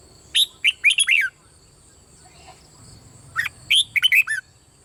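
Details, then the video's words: Thai red-whiskered bulbul, 'bird' singing type, played to excite birds into song: two quick phrases of five sharp, sliding whistled notes each, about three seconds apart, over low background hiss and a high steady tone. "เสียงนกกรงหัวจุกเบิ้ล ร้องริก เปิดให้นกฟังยั่วนกดีมาก"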